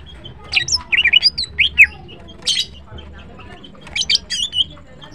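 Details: Greater green leafbird (green cucak) singing in the morning: quick varied phrases of sharp chirps and short whistled slurs rising and falling, given in bursts separated by brief pauses, with faint low background hum.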